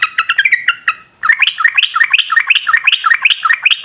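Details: Yellow-vented bulbul in a long, fast, continuous 'ropel ngalas' song, used as a lure so other bulbuls answer at once. Quick descending bubbly notes are followed after a short pause by a rapid run of chattering, warbled notes repeated several times a second.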